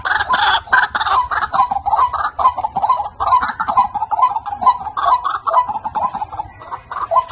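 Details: Lure call of a white-breasted waterhen for trapping: a steady string of harsh, clipped notes, a little over two per second, each ending in a thin whistled squeak, loud at first and then evening out.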